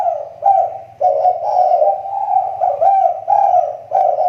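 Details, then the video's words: Spotted dove kept for luring, its calls now improving: a nearly continuous run of low, throaty cooing notes, rising and falling in short pulses, over a faint low hum. "SUARA TEKUKUR PIKAT SI TAKUR,SUDAH MULAI MEMBAIK"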